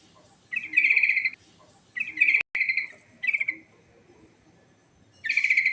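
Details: Sooty-headed bulbul giving a fast rolling ngerol song with a rich fill: loud, harsh, buzzy phrases, four bursts in about six seconds, one trailing off in a drawn-out note, with a sharp click midway.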